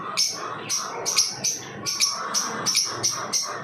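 Lovebirds give shrill, harsh, high chirps in quick succession, roughly two to three per second, with no other clear sounds.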